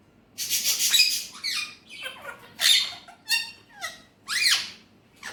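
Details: Pet Alexandrine parakeet speaking in Urdu/Hindi: a string of harsh, broadband speech-like syllables with falling sweeps, delivered in short clusters roughly once a second.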